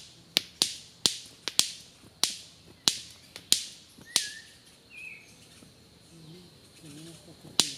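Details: Male white-collared manakin at his dancing spot in Costa Rica, courting a female with fast flying jumps between branches; sharp loud snaps in an irregular series, about ten in four seconds, then short whistled notes and a final snap.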